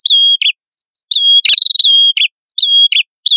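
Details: Prinia pair, male and female, in lively song played to lure birds: three clean high sustained whistles, each closing with a short dropping twist, separated by about half-second gaps, with a scratchy burst midway.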